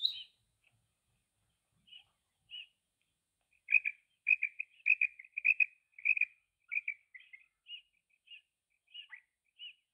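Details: Female quail giving scattered single chirps, then a quickening series of high doubled notes, about two per second, easing back into spaced single chirps, with no other sounds.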